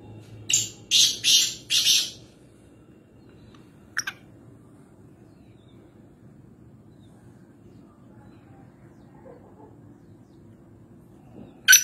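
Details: Wild black francolin, known locally as kala teetar, recorded near Nawabshah, Pakistan: three loud, harsh rasping notes in quick succession, then a long quiet stretch broken by one short grating note and another at the end.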